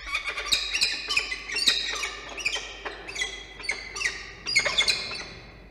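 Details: Peregrine falcon pair at a nest with three eggs under incubation, recorded 27 September between 05:00 and 08:30 at CSU, NSW, Australia: harsh, grating squawks in quick irregular bursts, several a second, with a few sharper high notes.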